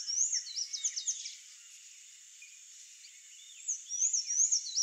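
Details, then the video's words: A Sayaca tanager gives a rapid run of high, squeaky, twittering notes in two bursts separated by a short pause, over a faint background hiss. "SANHAÇO-CINZENTO (THRAUPIS SAYACA), SAYACA TANAGER"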